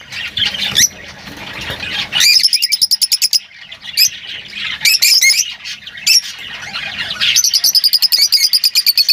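Lovebirds chatter in shrill, high twittering with rapid rattling trills and sharp squeaky notes, several birds overlapping throughout.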